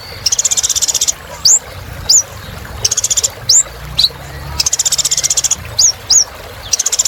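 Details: Kolibri ninja sunbird in 'gacor' song for reviving birds that have stopped singing: long shimmering high trills broken by single sharp upswept chirps, the trills returning every couple of seconds.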